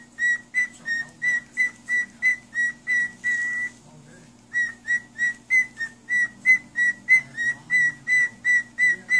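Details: A parrot sings for a child, giving rapid runs of short, clear whistles held at a single even pitch, about three each second, with one pause of under a second midway before the series picks up again.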